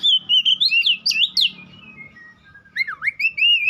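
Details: Whistled White-rumped shama song with sweeping slurs and sharp upward flicks, then a deep swooping note that rises back into a sustained whistle.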